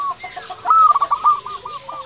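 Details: Zebra dove, a local bird in active song used to draw and excite other doves: a short, dense burst of rapid rolling coos, one voice rising in a loud trill over quieter overlapping cooing.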